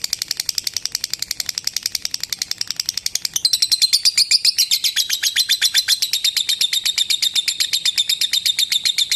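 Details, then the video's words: Lovebird giving a long ngekek chatter used for training other lovebirds: a rapid, steady train of high, dry notes, about four a second, growing louder midway and shifting into a continuous trill with a thin whistled tone running through it. "Suara Burung Lovebird Ngekek Panjang untuk Masteran Lovebird Ngekek"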